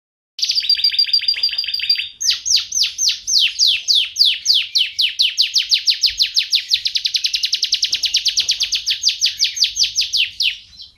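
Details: Canary song: after a short buzzy opening phrase, a long, fast, even run of sharply descending chip notes repeated several times per second, steady and loud, with nothing else audible.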